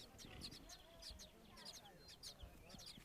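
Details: Blind nestling sparrows, only days old, beg for food, mistaking a hand above them for a parent; sharp high chirps repeat in regular bursts about every half second over faint low rumbling.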